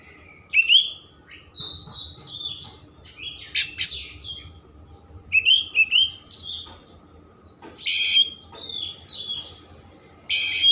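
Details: Loud, full Oriental magpie-robin song for stimulating emotion and tail spreading: varied whistled phrases with rising slurs, twitters and harsh scratchy notes, delivered in bursts separated by short pauses.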